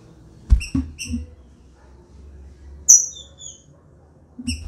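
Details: Female green-winged saltator kept in a flight cage, calling and soliciting mating: short sharp high peeps and a descending thin whistle, over low thumps and rustling.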